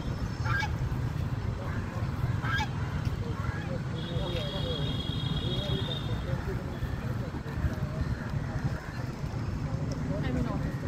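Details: Duck quacking: a few short, nasal, honking calls scattered across the recording over a steady low rumble of background noise, with a brief thin steady tone partway through.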